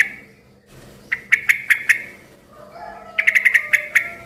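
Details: Yellow-vented bulbul, whose calling is said to set other bulbuls answering. Two quick runs of sharp, bright chips, about four to six notes each, a faint whistle between them, and a low hum throughout.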